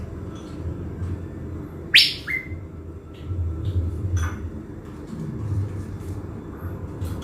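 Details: Caged decoy blue-winged leafbird, Bình Thuận, Vietnam. One sharp, harsh burst is followed by a short flat whistle, with low background rumble and faint ticks.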